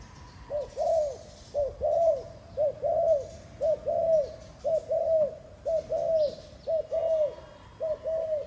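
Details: Spotted dove cooing steadily: a short note followed by a longer, arched, hollow coo, the pair repeated about once a second across the whole stretch, over a quiet background.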